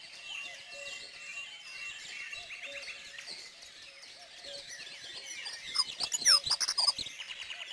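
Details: Dunnock song, a bird that also sings in winter but more regularly in spring, calmer than a wren's. Soft high chirping and a repeated low level note give way to a loud, rapid, high-pitched warbling burst near the end.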